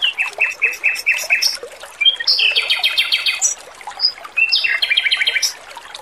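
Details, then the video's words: Male Pekin robin with a clear, sweet song over running water, opening with five quick repeated notes, then rattling trills broken by single high whistles. "MASTERAN BURUNG ROBIN JANTAN GACOR, SUARA MERDU DAN JERNIH"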